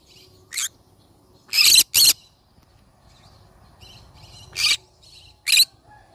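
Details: Yellow-sided conure giving a few short, harsh, broadband squawks, single and in a quick pair, spaced irregularly over several seconds against a quiet background.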